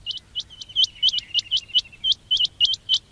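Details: Rapid quail chirps, played to attract quails for trapping: about a dozen sharp high hooked notes in quick succession over a faint buzzy trill.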